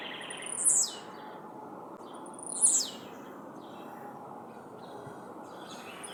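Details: Blue-black grassquit, called tizil, singing after release into the wild: two short, very high buzzy notes that sweep downward, about two seconds apart, over a steady background hiss.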